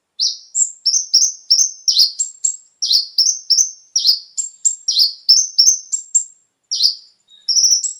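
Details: Brown-throated sunbird (konin) lure song for captive birds: a long run of high, downward-swept, slightly buzzy notes, about three per second, mixed with thin high whistles.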